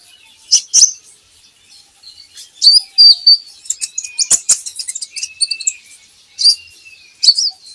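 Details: Javan hanging parrot song used as a training recording to prompt caged birds to sing: high thin chirps and short whistled notes, with a few longer level tones near the middle, broken by sharp clicks.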